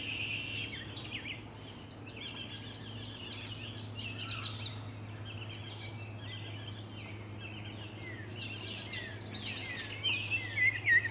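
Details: Baltimore oriole pair at their nest at Salt Point on 27 June 2020, both parents visiting. Bright chirps and chattering notes come in irregular bursts, with a low steady hum below.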